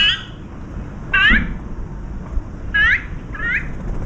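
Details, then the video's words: Five azure-winged magpies arrive while a dove is feeding, a juvenile among them, and greet with 'kkuing kkuing' calls: four harsh, wavering, rising notes, one at the start and three more spaced over four seconds, above a low background rumble. "물까치 다섯마리 방문 꾸잉꾸잉 인사"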